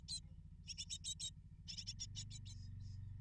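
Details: Great tit nestlings begging while parents deliver food: quick series of short, high, scratchy chirps in two bursts, ending in softer fading notes over low humming.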